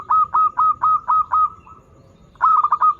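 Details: Zebra dove of a local strain singing eagerly, a lure for young singers: an evenly spaced string of short rolling coos about twice per second, a brief pause, then a quicker cluster of stuttering coos.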